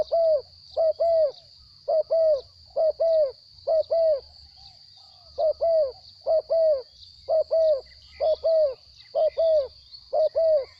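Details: Captive spotted dove, noted for its small voice, repeating crisp paired coos of mid pitch at an even pace, about one pair per second, with a constant high electronic-like whine.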